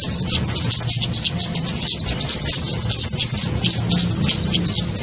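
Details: Kemade lure call used to attract small birds for trapping: high, thin twittering chirps tumbling rapidly, about three per second, with short sliding notes over a low steady background hum.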